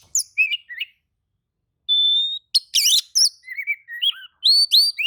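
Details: Oriental magpie-robin replying to another magpie-robin's song, mixing a long steady pure whistle, quick buzzy trills, and clear slurred whistled notes that rise and fall.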